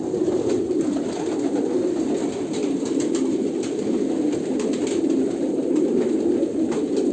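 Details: Kolkata pigeons: a dense, steady chorus of low, rolling coos from several birds overlapping without pause, with faint scattered clicks and taps above.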